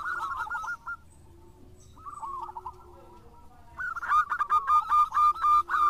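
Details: Lure recording of a singing local zebra dove: soft rolling coo phrases, a quieter pause, then a loud run of evenly spaced, clipped coo notes at a quick steady rate.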